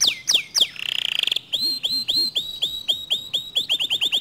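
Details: Canary song reputed to spark other canaries into singing: downslurred whistles, a buzzy rattle, then a run of repeated sweeping notes that speeds up toward the end.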